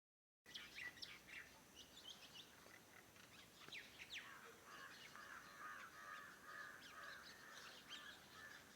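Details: Several birds calling in the morning around a farmhouse: scattered high chirps and short sweeping notes over a steady hum, with a run of repeated mid-pitched rasping notes in the second half.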